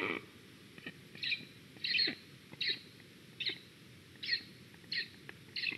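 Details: Black stork at a nest in Estonia in 2021, reacting to a squirrel: a series of short, high, squeaky notes repeated roughly every half second to second, sharp and chirping, with faint background hiss.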